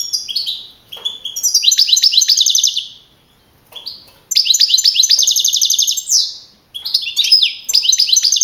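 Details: European goldfinch, a young male singing-contest winner from Madrid in 2012, repeats phrases of quick twitters leading into long buzzy rattled trills, three bursts divided by short silences.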